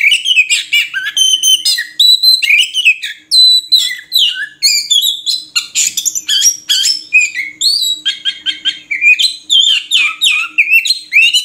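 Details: Murai kampung, the Oriental magpie-robin, pouring out a long unbroken song mixing sharp chirps, buzzy trills and looping whistled notes at a rapid pace.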